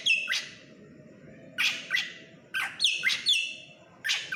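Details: Drongo, known locally as srigunting krantil, in energetic song: rasping, sharply descending squawks, several doubled in quick pairs, separated by short pauses over a faint low hum.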